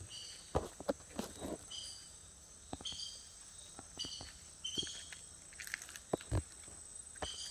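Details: Song of fiery-billed aracaris, a toucan relative: thin, high, squeaky notes given in repeated short bursts about every second, over scattered low knocks, footstep-like rustles and a faint steady insect hum.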